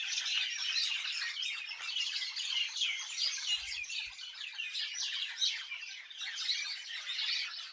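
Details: Many birds chirping together in a village, a dense continuous chorus of quick high twittering notes overlapping without pause throughout.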